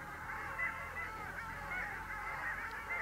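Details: Long-tailed ducks at the mouth of the Vistula in February 2013. A flock gives a steady stream of nasal, yodelling calls, with a few clearer rising notes standing out over the chorus.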